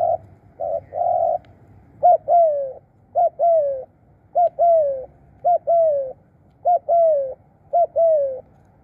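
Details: Decoy spotted dove in Thailand calling in a regular rhythm: after a few flat coos, a clipped note and a long descending coo repeat roughly once a second.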